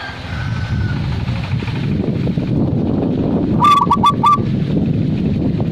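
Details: Zebra dove song: one quick phrase of four short cooing notes late on, after a faint thin whistle at the start, over continuous low noise.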